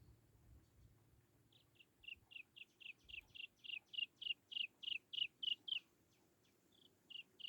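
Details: Young Chinese francolin calling to lure its mother: a run of short, clipped high chirps repeated about three times a second, growing louder then fading, with a low hum and faint rustling underneath.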